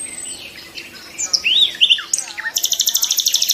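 A nightingale sings a varied phrase of sweet whistles and sliding notes, ending in a fast, loud run of repeated notes about a dozen a second.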